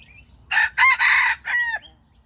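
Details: Close, loud crow of a junglefowl, the call used to attract wild chickens into traps: four harsh bursts, the second and third longest, the last stretched and sliding downward, over a faint low hum.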